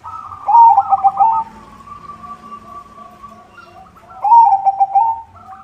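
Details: White zebra dove, singing as a lure for other zebra doves: a stuttering bubbly coo, a long steady trill from a second bird, then another stuttered cooing phrase.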